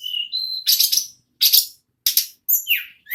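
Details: Ashy tailorbird (tledekan, sulingan gunung) in nagen ngerol song: a level whistle stepping upward, then three harsh, noisy bursts and a final high whistled slur.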